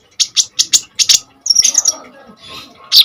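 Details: Common iora singing hard, meant for luring and tutoring kolibri ninja birds: six quick, evenly spaced high chirps, then a short scratchy twittering phrase fading into quiet, ending on a sharp note.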